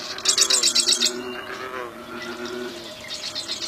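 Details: Bar-winged prinia in the wild: a short, fast series of high, buzzy repeated notes near the start over a low, steady cooing and hum from other sounds.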